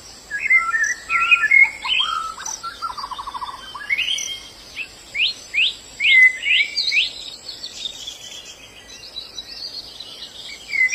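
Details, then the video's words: Wild white-eye song: a varied run of high twittering notes and a short trill. These give way to a series of sharp downslurred chips, a few per second, then fainter notes, over a thin insect hum. "Suara burung Pleci dialam bebas"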